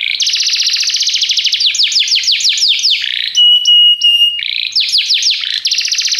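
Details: Canary training song with a dense buzzy rolled trill, fast descending sweeps, a short run of steady high whistled notes, then further rapid trills, continuous and loud.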